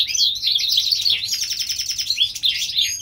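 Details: Short burst from a European goldfinch hybrid in springtime California: a rapid, unbroken tinkling trill of high chirps.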